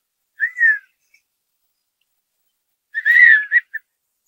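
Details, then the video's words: A male Redhead duck on the water, displaying to a female, gives two nasal, cat-like mewing mating calls about two and a half seconds apart, the second longer and wavering with a short tag note. "Redhead Duck Calling Its Mate Display Call"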